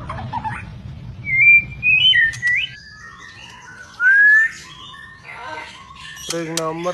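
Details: Captive white-rumped shama of an albino or blorok mutation, Indonesia: drawn-out rising and falling whistles, softer chatter, then a short harsh, nasal burst at the end, over low background noise.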